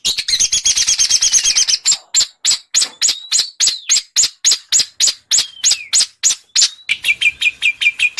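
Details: Small birds' tutor song for a white-rumped shama: a dense high trill opens, then evenly spaced sharp clicking notes, with faint thin whistles sliding downward between them.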